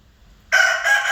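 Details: A rooster's crow bursts in suddenly after a half-second hush, harsh and full-toned, holding strong with a slight break before continuing to the end.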